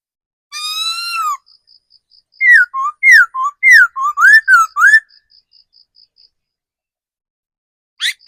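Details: Caged decoy laughingthrush, a seasoned forest bird, opens with one long falling whistle, then bursts into a rapid, lively string of about eight looping, rising-and-falling whistled notes. Faint steady high ticks from another bird continue behind.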